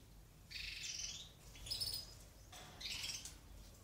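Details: European goldfinch chicks begging as the eumo-mutation hen feeds them in an aviary, natural rearing; three drawn-out, raspy, high-pitched hissing bursts, each lasting nearly a second, against low hum.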